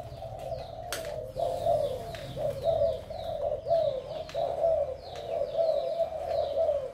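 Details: Vigorous male spotted dove of Malaysian stock with a handsome spotted collar. Continuous low cooing swells and fades in uneven pulses, with a sharp click near the first second and faint high downward chirps recurring roughly every second.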